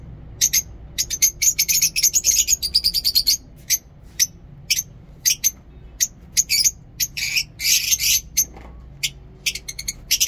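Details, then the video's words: Morning chatter of lovebirds in a mini zoo, with rapid strings of shrill, high chirps, short pauses, then renewed bursts of harsh twittering and sharp single notes. "Lovebirds Sound in mini zoo"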